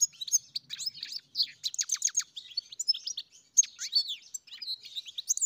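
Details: European goldfinch singing on a farm: rapid, twittering song of bright chirps and liquid trills, with a fast buzzy run of repeated notes near the middle, all high-pitched and continuous.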